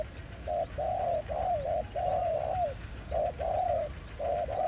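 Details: Spotted dove at a decoy trapping spot revisited after over a year, a new aggressive wild bird; run of soft hooting coos, longer notes sliding downward, short gaps between phrases, faint hum behind.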